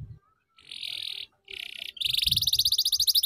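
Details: Canary tutor song in ngeriwik style for young birds: two buzzy, even trills with brief pauses, followed by a fast run of rising, rhythmically repeated notes and faint low noise.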